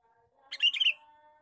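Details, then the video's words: Male sooty-headed bulbul lure call, a short burst of bubbly chattering notes lasting about half a second, with a faint steady low hum behind. "suara pikat burung kutilang jantan gecor cor cor"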